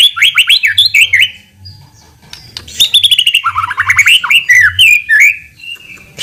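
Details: White-rumped shama in full, loud song, used as a lure to provoke a quick response: rapid, varied whistled phrases with chattering notes and sliding runs, and a steady low hum beneath.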